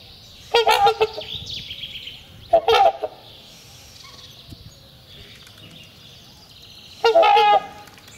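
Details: Spring trumpeting by two trumpeter swans, a courtship display that renews the pair bond and marks territory; three short, loud clusters of resonant honks separated by quiet gaps of two to four seconds.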